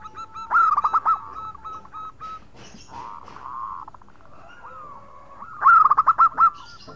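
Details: Local zebra dove in full song, calling to its companions with a khong-style voice: bursts of rapid, bubbling cooing notes separated by softer, drawn-out coos, with a brief rustle midway.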